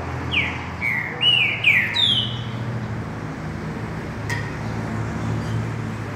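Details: Green-winged saltator singing in the mateiro style: a quick phrase of loud, clear whistled notes, each sliding downward, packed into the first two and a half seconds. Then comes a steady low rumble with a single sharp click.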